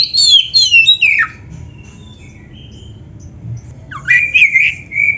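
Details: Clear whistled oriental magpie-robin phrases, descending in steps, then a long quiet gap before a rising slur and sustained warbling whistles; a recording used to train caged birds to sing.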